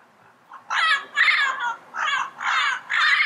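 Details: Yellow-headed parrot in its natural habitat delivering five harsh, nasal squawks in a steady series, each about half a second long with short gaps between.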